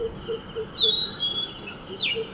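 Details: Male Oriental magpie robin whose song includes mimicry of a shikra and a neighbouring common tailorbird. High, clear whistled notes and a sharp downward-sliding whistle over steady soft background noise, with a low note repeating faintly underneath.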